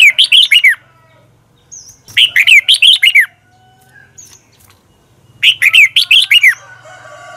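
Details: Red-whiskered bulbul morning training song with a long, twisting double voice, recorded in 2020: three fast phrases of five or six clear, swooping whistled notes, each phrase about a second long, with short gaps between.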